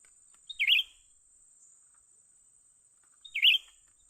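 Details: During trapping, a young bulbul called cucak ranting gives two quick chirps, each a warbled falling note, about three seconds apart, over a steady high electronic tone.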